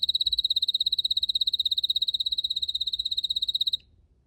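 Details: Red canary singing in a garden with purple azaleas: one fast, even, high trill of about fifty identical notes, steadily repeated for nearly four seconds before stopping abruptly.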